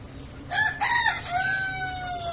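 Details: A brave rooster, described as ready to fight, gives a full crow: two short clipped opening notes, then a long drawn-out tone that slowly falls in pitch, ringing over a low background hum.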